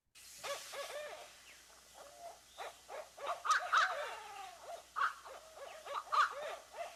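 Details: Two Barred Owls calling together in the evening, a dense run of hooting, almost cackling notes with wavering, monkey-like whoops rising and falling, a different one joining in; a faint low hum runs underneath.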